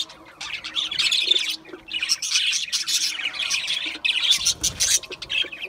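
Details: Flock-like budgerigar chatter, bursts of shrill, buzzy chirping with short pauses between, plus a faint low thump near the end.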